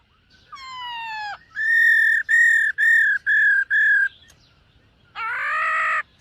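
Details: Morning voice-training song of a black-throated laughingthrush: a descending slurred whistle, then five evenly spaced flat whistled notes, and a harsh buzzy note after a short pause.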